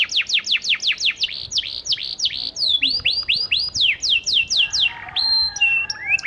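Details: Panda canary in full lively song, used as a lure to get silent canaries to answer: fast series of high downward-sweeping notes, then looser rising whistles and a few sustained tones at the end.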